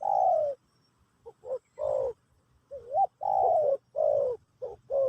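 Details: Teaching song for a new bird, a spotted dove singing in the Pesom or Kacuk style. Long, rich coos alternate with short clipped notes, and a looping rising note appears midway. The phrases are evenly spaced.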